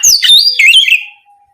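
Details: Oriental magpie-robin calling to its companion: two quick, loud whistled phrases sweeping down then up, fading into silence.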